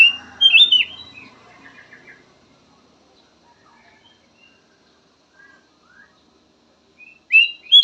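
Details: Black-naped oriole song, described as a soothing variety of phrases: a loud burst of short whistled, slurred notes opens, a long near-silent stretch with faint soft notes follows, then another bright whistled burst closes.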